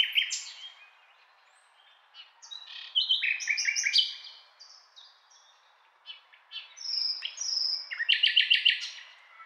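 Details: Common nightingale singing a varied string of whistled and chirping phrases, high and bright, broken by short pauses, then closing with a rapid, pulsed trill; no other sounds stand out.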